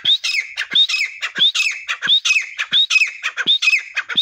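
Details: Desi teetar (partridge) in a rapid calling bout: loud, harsh, repeated squawking notes, sharp rising whistles alternating with lower grating phrases, about one and a half per second, continuous and energetic.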